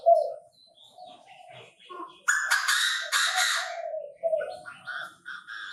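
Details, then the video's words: Chinese francolin calling in a bird-trapping setting: a harsh, broadband burst of stacked notes lasting about a second and a half, over a steady low hum with scattered small-bird chirps before and after. "Tiếng chim ĐA ĐA gáy"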